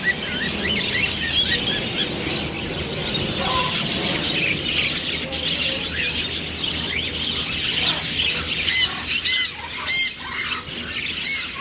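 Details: A dense, hissing chorus of bird chatter fills the first part, then harsh, raspy macaw squawks break out in a quick series near the end.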